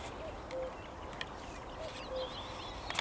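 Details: Common cuckoo, 12 May 2021, calling twice: soft descending cu-coo pairs over a second apart, while a songbird sings quick twisting warbled phrases higher up.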